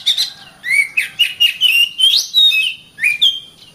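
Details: Oriental magpie-robin song meant for training caged birds in morning or evening: varied clear whistled phrases, some rising, some slurred downward, delivered in quick succession at a bright high pitch.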